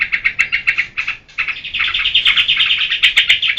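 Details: Sooty-headed bulbul delivering geberan song: a series of clipped chirps, a short pause, then a quicker, tighter run of higher rattling notes that builds in loudness toward the end.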